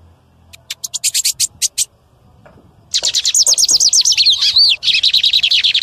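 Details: A male lined seedeater sings loudly in the wild to stimulate other birds: a string of evenly spaced high clicks, then a fast, dense, buzzy warbling phrase of slurred notes.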